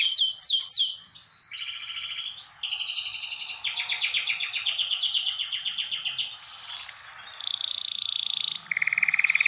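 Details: Canaries in a breeding room, kept for preparation and mating, sing loud varied trills: fast rolling runs, buzzy sustained rattles and bright repeated notes, shifting from one phrase to the next with brief pauses.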